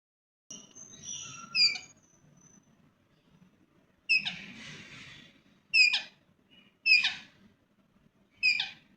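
A rose-ringed parakeet gives four loud, harsh, high screeches with falling tails, about one every second or so, after a softer squeaky opening.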